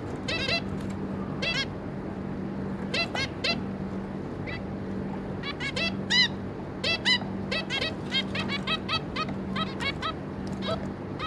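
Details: Zebra finch pair with their three juveniles, recorded 26 May 2022, giving many short nasal harmonic calls in irregular bursts and clusters across eleven seconds over a steady low electrical hum and faint room noise.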